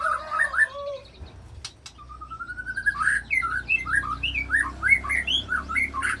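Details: White-rumped shama singing to provoke other fighter shamas, its song filled with mimicked phrases. Clear whistled notes and a long steady whistle give way to a quick run of varied chirping notes, several per second.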